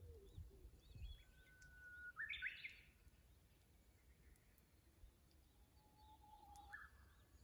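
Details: Japanese bush warbler in song by a tank road in Kusu, fixed camera, dated 25.04.24. A held whistle leads into a short bright flourish; a second long thin whistle follows near the end. A low rumble runs throughout.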